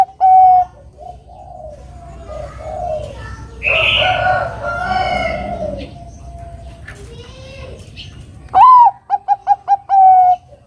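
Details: Zebra dove of the Bangkok type in full song as a lure to provoke a rival to sing: a sustained coo opens, then a long stretch of softer mixed sounds and murmurs, before a loud upswept note and a rapid run of clipped coos.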